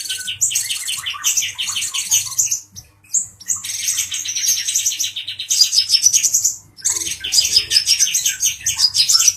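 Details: Male brown-throated sunbird, emotional and provoking a cucak jenggot (grey-cheeked bulbul), sings rapid high chirps in three long bursts separated by short silences, with thin, slurred whistles on top.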